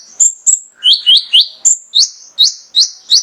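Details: Male mangrove whistler song used to stimulate other birds: evenly spaced, loud whistles that sweep sharply upward then hold a steady tone, about three per second, on a quiet background.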